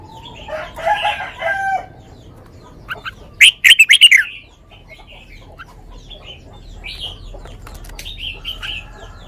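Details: Red-whiskered bulbul performing the sweet 'lak wai' song style: a rich warbled phrase at the start, a loud rapid chatter of repeated notes midway, then thin whistled phrases trailing off.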